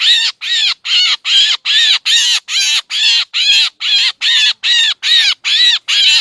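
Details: Black drongo sound used to lure birds into traps in Laos and Isan: regular, raspy, chattering notes repeated at a brisk, even pace of about two or three a second.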